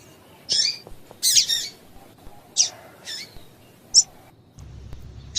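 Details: Female double-collared seedeater calls used to get a male singing: high, slightly buzzy chips, some doubled, about six notes in quick, uneven succession, and a low hum at the end.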